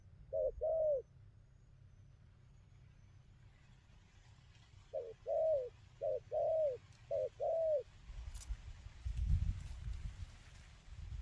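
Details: Wild-caught spotted dove giving one short-long coo pair, a silent gap, then four more soft paired coos, after which rustling and handling noise takes over.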